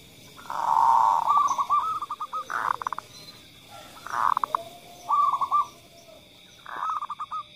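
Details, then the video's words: Local female zebra dove calling busily, followed by a male kerot-style call, used to stimulate other birds to sing: four mid-pitched cooing phrases, each a tonal burst breaking into quick staccato notes, spaced about two seconds apart, with faint background hiss. "Perkutut Betina Gacor Di ikuti Suara Panggilan Perkutut kerot (REKOMENDASI) perangsang suara"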